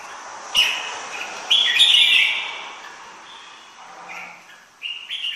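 A red-whiskered bulbul sings short, bright, warbled phrases in quick bursts, with soft background hiss between them.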